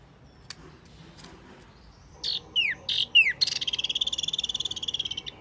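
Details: Wambi Mini bird used for luring: after quiet faint clicks come a few loud downslurred chirps, then a fast, even, buzzing trill that lasts about two seconds.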